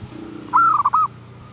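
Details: Female zebra dove calling to tempt a male, one brief phrase: a rising whistled coo breaking into a fast rolling series of soft notes, then quiet with a low steady hum behind.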